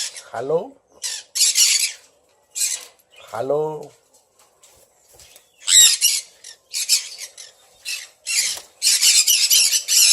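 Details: Sun conures kept as pets alongside red factor birds: two lower, curving harmonic calls stand out among repeated harsh, high squawks, which grow denser and nearly continuous toward the end.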